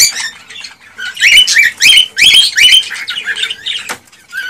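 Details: Cockatiel song used to stimulate pairs to mate and breed: clear whistled notes rising sharply to a high peak, repeated in quick bursts with short gaps, mixed with brief harsh chirps and rustling.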